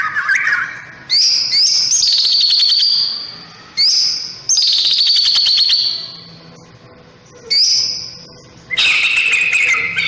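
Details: White-rumped shama singing while being sunned in the morning: loud clear whistled phrases alternating with high rattling trills and bursts, separated by brief pauses.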